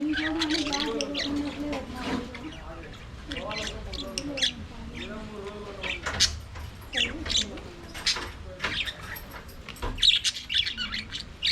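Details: Budgerigars in an aviary, singing and playing: a dense warbling chatter of short chirps and squeaks with some lower murmuring voices, several birds calling over each other throughout.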